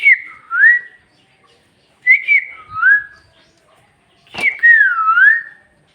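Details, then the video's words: Talking parrot from a Bhojpuri-speaking home whistles three phrases: a dipping-rising note, a stuttered falling pair, and a long wavering whistle after a sharp click. "Bhojpuri talking parrot"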